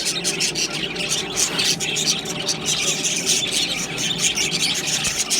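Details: A group of budgerigars chatters continuously, the high scratchy chirps and squeals blending into one dense, lively wash of sound with no quiet gaps.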